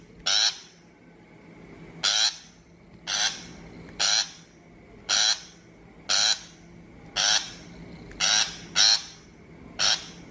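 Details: Shrike harsh chatter used as a trapping lure: about twelve grating, buzzy notes roughly one per second, a few in quick pairs, with a thin constant tone underneath.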